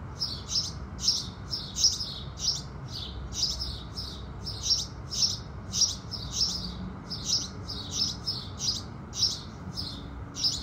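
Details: Sunrise chorus of house sparrows: an insistent stream of high, clipped chirps, often paired, repeating about twice a second, above a muted low background.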